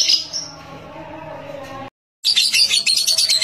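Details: Young lovebird on a house terrace giving short bursts of high, scratchy chatter, broken by a sudden silent gap and then a fast, pulsing stretch of chattering.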